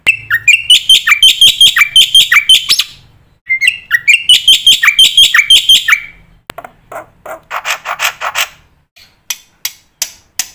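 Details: Black-winged myna song played as a master track for training young mynas: two long runs of rapid repeated buzzy, chattering notes separated by a pause, followed by softer scratchy clicks and sharp ticks.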